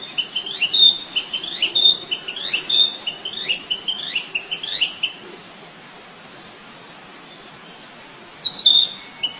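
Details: Flycatcher in the wild giving short high chirped phrases, repeated about once a second for five seconds, then a pause of a few seconds before one more brief burst.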